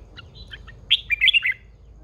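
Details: Caged female red-whiskered bulbul singing one brisk phrase: a few soft lead-in notes, then a rapid run of four or five loud, warbled, slurred whistles falling slightly in pitch, in a quiet setting.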